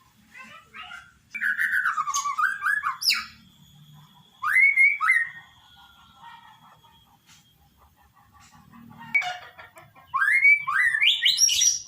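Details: White-rumped shama song: bursts of clear whistled phrases sliding and wavering in pitch, separated by pauses, with a final burst of rapid rising glides climbing high.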